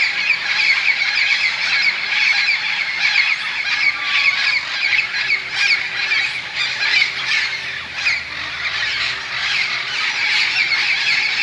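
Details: Dozens of parrots gathering, mostly in pairs, in huge bamboo plants beside a golf course in Moka, Trinidad and Tobago, around five in the evening as they settle for the night; a dense, unbroken wall of harsh squawks and screeches.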